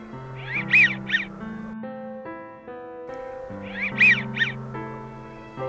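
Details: American wigeon at Crystal Springs Rhododendron Garden, southeast Portland, Oregon, giving high two-syllable whistles rather than quacks, twice about three seconds apart, over steady background music.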